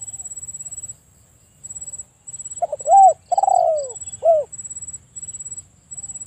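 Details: Spotted dove giving one three-part phrase: short curved coo, a longer loud coo sliding downward, then a final brief hooked coo, with a continuous faint high tone in the background.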